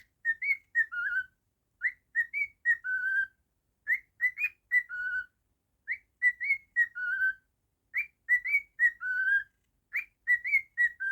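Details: Pet cockatiel whistling a mid-pitched, warbling phrase of linked rising and falling notes, repeated in short bursts with brief silences between them, in a quiet room.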